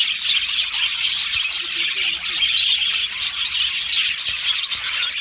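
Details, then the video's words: Australian budgie colony chorus in an aviary: constant high warbling and chirping from many birds, busy chattering texture with brief sharper notes popping out. "Budgie singing and chirping sounds"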